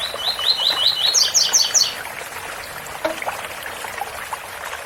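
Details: Coleiro giving its tui tui bitola song near a waterfall: quick rising chips lead into a cluster of high, sharp paired notes, then the bird falls silent and rushing water continues.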